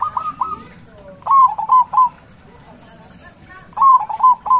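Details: Big-voiced local zebra dove used to provoke rival doves into calling. It gives three separate bursts of two to four clipped, warbling coos with quiet gaps between. A faint, high, thin twittering from another bird is heard in the middle.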